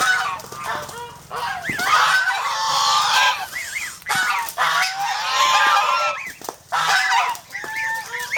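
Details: A flock of domestic geese in the Philippines, aggressive guard birds, produce harsh honks in loud clustered bursts separated by brief dips, with some rising inflected calls standing out.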